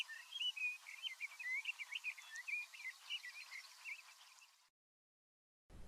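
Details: A Sage Thrasher, nearby but out of sight in big sagebrush near Silver City, Montana, on a July 2022 morning around sunrise, chatters repetitively: a long, fast run of varied, fairly high warbled notes for nearly five seconds, then stops abruptly.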